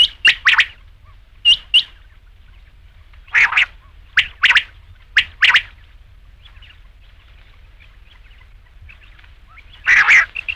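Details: Rain quail with scattered harsh double calls separated by long quiet gaps, a faint chatter in the middle, and a final louder burst.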